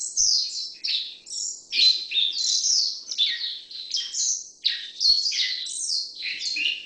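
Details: Black-faced bunting, Emberiza spodocephala: a dense stream of high, squeaky chirps and slurred buzzy phrases repeats in rolling bursts about every half second. A faint low hum sits in the background.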